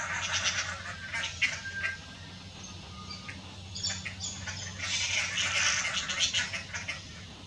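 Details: Dollarbirds (Eurystomus orientalis) perched on power lines give harsh, rasping chatters in quick bursts, a loose cluster at the start and a longer run near the end, over a low steady hum.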